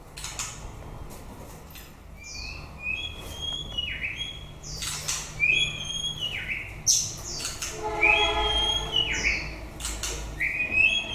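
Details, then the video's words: White-rumped shama song as breeding season ends: scattered whistled and chirped notes in uneven bursts, with several loud broadband rustling or flapping noises among them. "Chòe lửa bông hót cuối mùa sinh sản"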